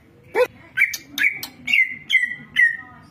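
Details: Greater green leafbird (cucak ijo), a champion songbird, repeating a drawn-out whistle that swoops down and levels off, about six times in three seconds, with a few harsh notes mixed in.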